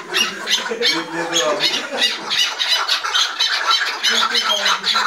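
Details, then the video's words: Five chukar partridges squabble at once, calling over one another in harsh, rasping chuck notes about three a second, forming a loud, continuous quarrelling chorus. "KEKLİK HENGAMESİ 5 KEKLİK BİRDEN куропатка - اضطراب الحجل - قتال الحجل - صوت الاحتجاج"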